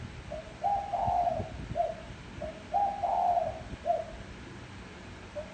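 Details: Spotted dove calling as a decoy to stimulate wild doves: low, mellow cooing phrases, each a short note followed by a longer, rolling double coo, repeated about every two seconds over faint background hum.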